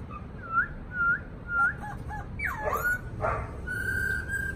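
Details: Black-throated laughingthrush kept in a cage, giving short looping whistles repeated about every half second, then a sharp falling swoop, a harsh rasping burst and a long level whistle, over low hum.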